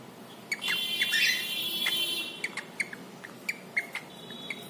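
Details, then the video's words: Bathing cockatiel, a male kept as a pet, lets out a raspy, drawn-out squawk with buzzy overtones, followed by scattered water-splash clicks and faint chirps. "Funny cockatiel making sound as he takes a dip in water"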